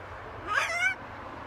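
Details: A macaw parrot talks in a short tonal utterance under a second long, rising then falling with a bright, speech-like harmonic quality over a quiet background hum.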